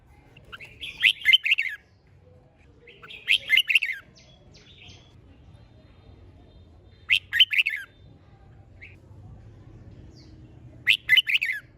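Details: Red-whiskered bulbul singing in competition style, to spur birds to sing diligently; four loud, quick warbled phrases of slurred notes arrive roughly every three to four seconds over a quiet background.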